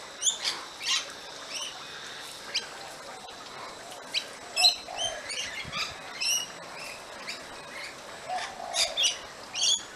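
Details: A flock of rainbow lorikeets feeds on seed pods in Chinese Lantern trees in a backyard. Many short, shrill screeches and chirps overlap in a busy, irregular chatter, with bursts of louder squawks every second or two.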